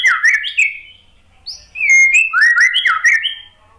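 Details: White-rumped shama (murai batu) song played as a lure to prompt a stressed, silent bird to sing: two bursts of rich whistled phrases, rising and falling slurs repeated in quick succession with brief pauses.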